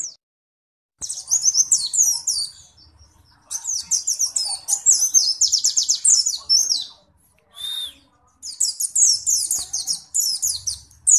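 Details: Caged pleci white-eye (Zosterops) from Indonesia in ngalas ngeroll song: bursts of very high, dense rapid chirping and rolling trills, broken by short silent gaps, with faint clicks.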